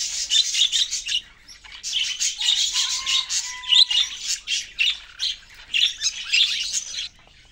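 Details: Budgerigars chirping: dense, high warbling chatter in pulsing bursts with short gaps, and a pair of steady lower whistled tones in the middle.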